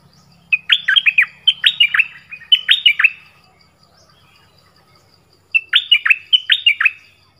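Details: Fluty 'pleng berm' style song of the nok dok taeng bird, used to teach young birds. Quick clusters of sweet, dropping whistles over roughly three seconds, a two-second silence, then another similar burst.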